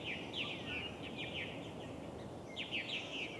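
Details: Purple martin (Progne subis) at an osprey nest, Steigerwald Lake National Wildlife Refuge, Washington, USA, 24 July 2011: bursts of sharp, gurgling chirps sweeping up and down, clustered early and again near the end, over steady background noise.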